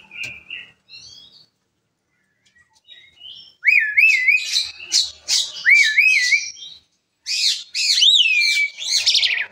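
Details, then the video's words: Asian pied starling in lively song that reportedly sets other birds calling; after quiet squeaks, loud warbling whistles alternate with rapid harsh chattering bursts for several seconds. "jalak suren gacor pembagkit burung lain ikut bersuara"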